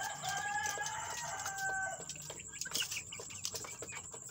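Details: Fresh chicks, newly added and described as fighting, give overlapping steady harmonic calls over the first two seconds. Scratching and clicking noises and a constant high hiss follow.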